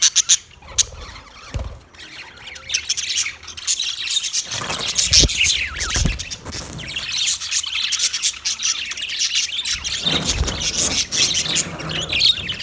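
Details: Dense, continuous high chatter from budgerigars, with many overlapping chirps and tweets building steadily after a quieter start, plus occasional low thumps.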